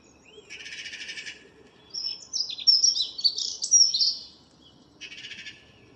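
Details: Common blackbird's morning song, 02/04/2013. Buzzy, rapidly trilled high notes frame a central burst of thin, squeaking twitters, all quite high-pitched with soft background noise.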